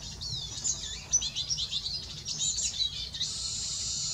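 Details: Male Eurasian siskin singing: a fast, high twittering jumble of squeaky, warbled notes, ending in a long drawn-out buzzy rasp held steadily for about a second.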